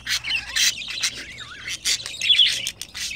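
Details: A mating budgerigar pair; the female has gained weight and is in heat. Harsh squawky chirps and wavy whistled glides come in loud bursts.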